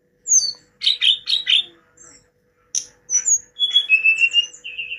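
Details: Hill blue flycatcher singing a varied phrase: harsh scratchy notes in three bursts, then sharp high whistles and a closing string of steady, level whistled notes; light electrical hum in the background.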